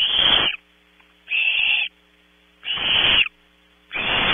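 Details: Barn owl owlets in a nest cavity at Audubon Starr Ranch, California, contesting prey in the small hours: four rasping, wheezy screeches about half a second each, evenly spaced, over a faint steady hum.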